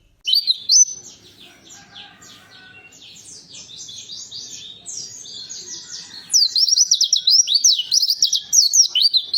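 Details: Warbling white-eye song used to prompt a silent white-eye to start singing: rapid high twittering slurred notes, softer and busier in the middle, then a loud run of quick rising-falling whistles near the end.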